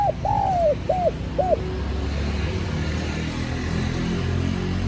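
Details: Spotted dove, a decoy bird calling to lure wild doves, in Vietnamese 'gọi bổi' style: a long falling coo followed by two short arched coos, then fading, with low rumbling background noise.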